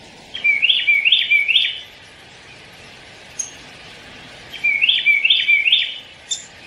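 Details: Downy woodpecker calling: two bursts of quick, high, chirping notes grouped in threes, each burst lasting about a second and a half, separated by a pause and a single short note, over a steady faint background hum.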